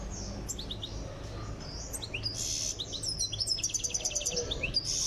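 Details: Tiaret goldfinch in Algeria undergoing song training, singing tinkling high notes that build into fast repeated chip series and buzzy trills toward the end, over steady low background noise.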